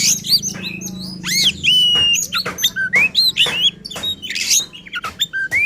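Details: Vigorous oriental magpie-robin song, emotional and insistent, used to provoke other kacer birds: clear sustained whistles, downslurs and upslurs mixed with buzzy chatter and scratchy notes, over a low hum.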